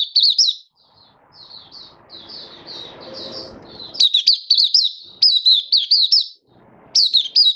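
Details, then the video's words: Malaysian white-eye, a kept hobby bird, singing happily in warm, stable, sunny weather in Singapore on 20 March 2023: fast high warbled phrases of sharp, slurred chirps in bursts, with a soft low rumble in the background. "Malaysian Mata Puteh Happy Buka Sing"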